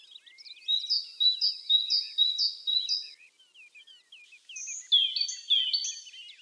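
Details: High whistled tit notes, each a short flat tone with a lower partner, repeated five times. Brief chirps follow, then a higher, sharper series of paired whistles.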